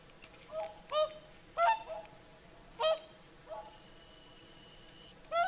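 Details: Whooper swans singing their evening chorus at sunset on the shore of Lake Saimaa, Finland: about seven loud, brassy, honking trumpet notes, some doubled or overlapping, at irregular intervals, with a faint steady high whistle-like tone midway through.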